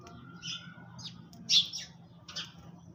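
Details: Sparrows feeding in the early morning give a few clear, sharp chirps. One louder chirp comes near the middle. A faint steady tone and a low hum sit in the background.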